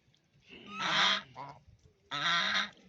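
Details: Duck on a pond giving two separate raspy, nasal quacks, each roughly half a second long, with a quieter note between them.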